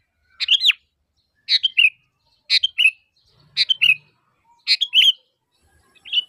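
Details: A sooty-headed bulbul calls to lure others into answering: two-part chirps, a sharp note followed by a lower slurred one, repeated about once a second.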